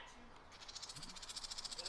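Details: A mother House Wren scolds from a bush near her nest of five almost-fledged chicks, seemingly telling people to get away: harsh, dry buzzy chatter, about ten pulses a second, building after a quiet start, faint human voices.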